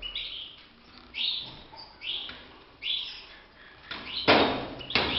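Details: Caged European goldfinch singing during song training: short bright twittering phrases and sweeping notes in bursts about once a second, with a loud rattling knock near the end like a cage or door.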